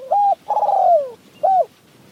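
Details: Spotted Dove, decoy or wild bird dueling during mountain-forest decoy trapping: one close, clear phrase of a flat hooting note, a long coo gliding downward, and a short final hoot.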